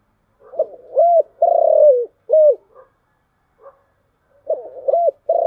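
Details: Low rhythmic cooing from a spotted dove in the 'giọng thổ chiêu gù' luring style. One full phrase of short hoots, a long purring coo and a clipped end note is heard, and after a pause a second phrase begins.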